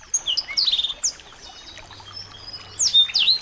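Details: Small birds in a recording used to make a white-rumped shama sing: scattered sharp high chirps and whistles in short clusters, a quiet gap through the middle, then a brisk burst of chirps.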